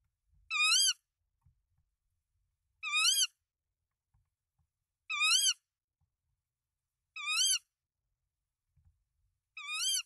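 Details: Nest camera on tawny owls in Denmark, 24 March 2024, three eggs and the male supplying rodents to the female: five short, rasping calls repeated about every two and a half seconds, with soft knocks from the nest between them.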